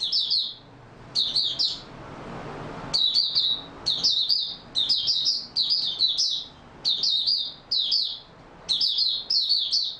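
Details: Oriental white-eye in stable singing form, 28 February 2022, delivering high, squeaky twittered phrases in quick succession, each a short cluster of sliding chirps separated by brief pauses.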